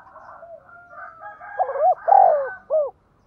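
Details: Decoy spotted dove of the 'giọng thổ' style. Faint overlapping cooing builds into louder, arched coo notes, ending with a short rising-falling note.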